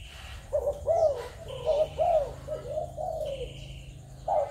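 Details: Spotted dove of Malaysian, Thai or Cambodian stock, recorded 21 November 2022. Gentle arched coos, several in quick succession and a longer drawn note, over a low hum, with brief high whistled tones from another bird.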